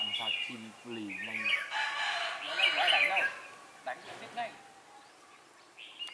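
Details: Red-whiskered bulbul singing during trapping with a decoy bird on 4 December 2016; a burst of bright warbled, chattering phrases in the middle, with men talking at the start and quieter notes after.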